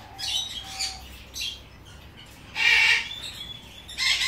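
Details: Captive-bred female Ducorps's cockatoo, leg-banded, giving harsh, raspy screeching calls: a few short scratchy notes, then a louder broad screech near the middle and another starting at the end.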